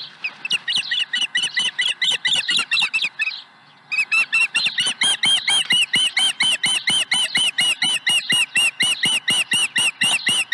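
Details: Nesting osprey with an early fish, 30 April 2020 around seven in the morning, calling insistently: a long, steady stream of loud, ringing whistled chirps, several per second, briefly broken by one short pause before resuming.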